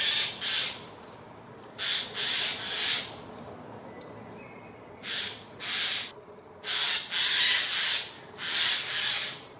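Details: Eurasian jays mobbing an eagle owl at Dannenberg (Elbe), Germany, 31 May 2024, which fled after two minutes; harsh, hoarse screeches, often in double or triple bursts, repeat with short pauses, and a faint thin whistle sounds between them.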